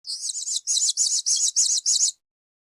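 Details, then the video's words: Blue-crowned hanging parrot as a 2021 tutor recording for training songbirds: six thin, very high buzzy bursts, each about a third of a second, in an even series that then stops. "masteran suara burung serindit 2021 (kicauan)"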